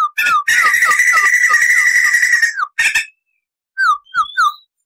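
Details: White-crested laughingthrush (poksay jambul) on a tutor recording, rolling and laughing: upslurred whistles open a sustained fast trill lasting about two seconds, followed by short chatter and a spaced series of rising whistled notes.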